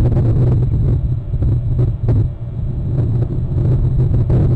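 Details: Steady low rumble of wind buffeting the microphone, with a heavy hum and no animal calls audible.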